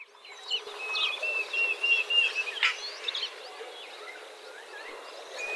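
Diederik cuckoo giving a run of clear, high whistled notes over about two seconds, then fading, with faint chirps of other birds and insects behind.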